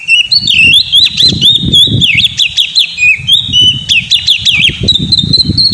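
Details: Oriental magpie-robin kept in a cage, singing as a lure to prompt a reluctant bird: a continuous run of fluty whistles and quick rising-falling trills, with low thumping and rustling noise underneath.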